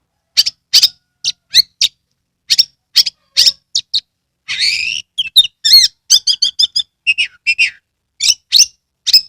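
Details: Oriental magpie-robin from Kebumen, Central Java, singing hard with tail spread to trigger song in other birds: a dense stream of sharp piercing notes, a harsh buzzy phrase, then rapid repeated chirps and whistled trills.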